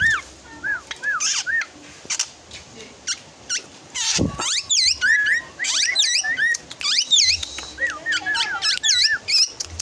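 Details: Young drongo approaching adulthood, with a varied song of wavy whistled notes around mid pitch, high slurred upsweeps and sharp clicking snaps. Phrases come in quick irregular bursts, with one loud broadband crack near the middle.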